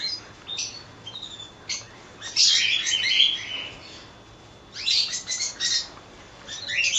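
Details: Cockatiel colony producing loud bursts of overlapping screechy chirps and whistles, two long noisy spells split by a calmer stretch with a few lone notes.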